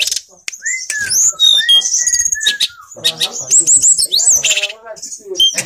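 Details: Privately kept grey bushchat in full, active song. Lively, rambling phrases mix sweet slurred whistles with sharp high chips and scratchy twitters, delivered almost continuously with brief pauses.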